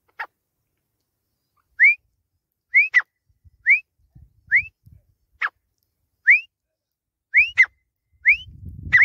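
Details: Pakistani grey francolin calling: clear rising whistled notes repeated roughly once a second, mixed with sharp clicking taps and a low rumble at the end.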